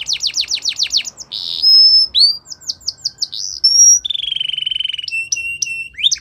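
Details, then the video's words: Belgian canary training song: a burst of fast downward sweeps, a held buzzy tone, a pure high whistle, a handful of spaced slurred notes, a low rolling trill and a few sharp chips to finish. "Belgian Canary | The Best Canary Training Song"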